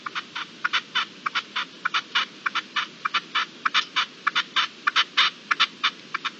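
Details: At dusk on 7 April 2022 a partridge gives a fast run of clipped, raspy chuck notes in an uneven rhythm, close to two per second, over faint hiss.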